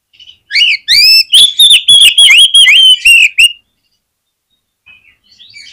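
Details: Oriental magpie-robin singing to trigger song in others of its kind: one loud three-second run of rapid, ringing repeated notes, then silence and a few faint notes at the end.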